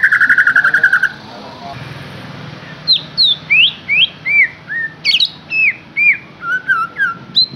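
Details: White-rumped shama song used to lure a captive bird into singing: a buzzy burst, then a run of loud, clear whistled notes sliding up and down, each about half a second apart, in a quiet background.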